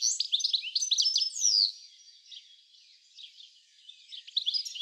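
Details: European goldfinch (Carduelis carduelis) in a garden at Uddel, the Netherlands, on 10 April 2013, giving quick, tinkling, liquid twitter calls, dense for two seconds, then softer, picking up again at the end.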